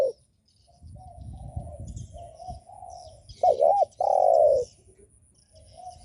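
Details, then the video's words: Spotted dove cooing, a call used to lure and provoke other doves: a loud wavering double note followed by a long, slightly falling coo near mid pitch, with softer distant coos from other doves before and after. "Chim cu gáy gù mở lên kích bổi cực hay"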